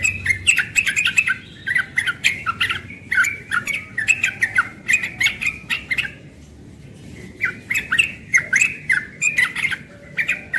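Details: Young yellow-vented bulbul in full morning song, rapid chattering bubbly phrases repeated in clusters about every second, briefly pausing near the middle, quiet background.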